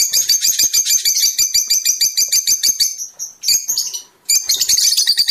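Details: Continuous fast, high, scratchy twittering from Fischer's lovebird, sung to stimulate mating, pulsing several times a second with a short break near the end.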